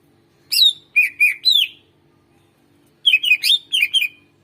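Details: Greater green leafbird singing to prompt birds that rarely sing: two quick bursts of four or five bright, slurred chirps each, with a silent gap of over a second between them.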